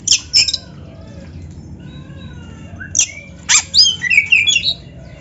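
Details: Kacer dada hitam, the black-breasted oriental magpie-robin, with a song rich in canary fills: scattered high chips, a long quiet stretch, then a quick jumble of warbled whistles and clicks.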